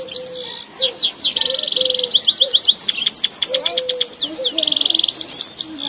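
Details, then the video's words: Grey-headed goldfinch singing in Tajikistan, a lively run of high twittering notes broken by fast buzzy trills and sweeping slurred whistles, with rapid chips repeated in quick series and a lower soft note now and then. "singing Gray headed Goldfinch"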